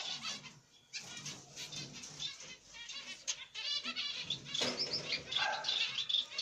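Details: At the nest, a pair of zebra finches, the male a grey light-back black-cheek mutation and the female pied, with their chicks: rapid buzzy churring calls, then thin high whistled notes joining near the end amid rustling.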